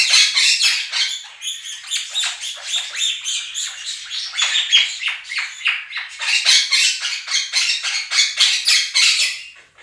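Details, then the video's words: Nearly ten seconds of continuous loud, grating screeches from two pet Quaker parrots drowning out a recorded budgie flock, each harsh note repeated in quick succession, roughly four per second. "Quaker parrots scream over flock of budgies"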